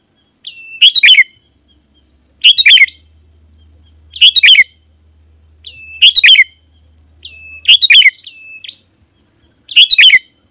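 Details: Sooty-headed bulbul calling wild bulbuls that answer and come near: six bubbly chirped phrases, each led by a short level whistle, roughly every one and a half seconds, over a faint low hum.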